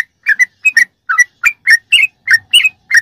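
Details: Short run of sooty-headed bulbul 'ropelan' song, used as masteran tutoring for captive birds: ten clean, rounded chirps spaced evenly, each note sliding slightly up or down.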